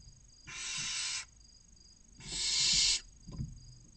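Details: Barn owl chicks in a nest box near Casa Palillos visitor centre, Cabañeros National Park, Spain, six young of 16 to 29 days awaiting a meal: two drawn-out harsh hissing screeches, then a soft knock.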